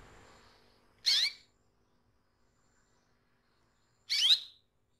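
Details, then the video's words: Caged female canary calling to draw a male: two brief, bright, rising chirps roughly three seconds apart over faint low background hum, each a quick upward sweep into a thin high tail. "SUARA KENARI BETINA MEMANCING JANTAN"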